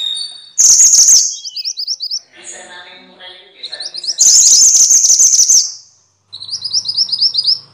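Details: Noisy minivets (mantenan, sepah) used as training sound for songbirds. Shrill, sizzling chatter alternates with fast runs of high, rising whistled notes, and a softer stretch of mixed chatter falls between them.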